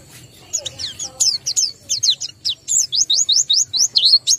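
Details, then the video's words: High twittering from a white-eye low in breeding condition, starting soft and building into a regular run of loud upslurred whistled notes. "BEGINILAH BUNYI PLECI KURANG BIRAHI atau KURANG KENCENG"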